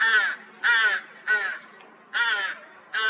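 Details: Rook chicks, newly hatched after a cold spring, on 16 May 2023, give begging calls: harsh, raspy, hoarse caws, five drawn-out rasps each about a third of a second long, repeated roughly every three-quarters of a second.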